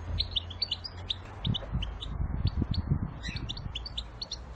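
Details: Goldfinch batbata, a chirping style, with short high twittering chirps in quick irregular bursts, pausing briefly near the middle then resuming, over a steady low rumbling background noise.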